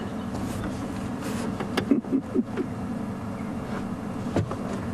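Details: A low vehicle rumble with a few brief knocks and clunks, with no animal voice heard.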